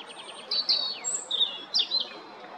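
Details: European robin song recorded 13 April 2022 at Jarun in Zagreb, Croatia: soft rising trill notes leading into tumbling high whistles, a thin very high note and a final bright flourish.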